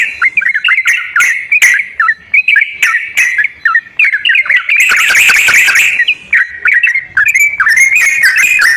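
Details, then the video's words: Sooty-headed bulbul singing in a lure meant to coax a silent kept bird into song. Chirpy whistled phrases come in rapid bursts, with a denser stretch of overlapping chatter near the middle. "TERAPI BURUNG TRUCUKAN MALAS BUNYI//ISIAN PANCINGAN TRUCUKAN YANG MALAS BUNYI"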